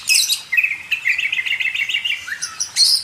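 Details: Oriental magpie-robin (kacer) training recording for cage birds: a steady series of short warbled notes at a mid pitch, opening and closing with brief high bursts.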